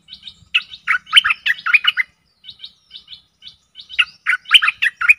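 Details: Stripe-throated bulbul decoy song for aggressive wild birds: light twittering leads into a loud bubbly burst, then a stretch of soft high twitters and another energetic chattering phrase.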